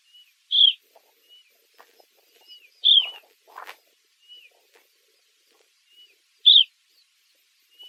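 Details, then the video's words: Eastern Clapper Lark calling: three bright, clipped whistles that slur downward, spaced roughly every two to three seconds, each followed by a softer thin note, with a short rustle in the middle. "Hoëveldklappertjie / Eastern Cape Lark"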